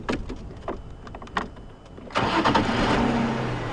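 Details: Clicks and knocks, then a vehicle engine starts and runs on loudly; no animal heard.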